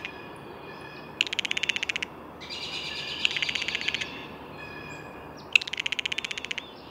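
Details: Three rasping blue jay calls, each a quick train of about a dozen pulses lasting nearly a second, with softer bird whistles between them.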